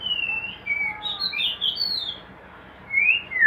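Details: White-rumped shama held in a hanging breeding cage produces long, smooth slurred whistles rising and falling, followed by a short pause and one more upslurred whistle.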